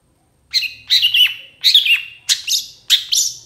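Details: Long-tailed shrike tutor song full of varied phrases, used as a lure so other shrikes answer; five harsh, scratchy bursts spaced about half a second apart, each a chattering cluster with a short whistled slur.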